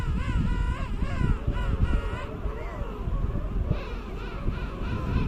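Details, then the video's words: Penguin uttering a run of wavering, nasal harmonic notes for about two seconds, followed by softer calls, all set against rumbling wind and low background noise. "Som de pinguim, efeito sonoro de pinguim"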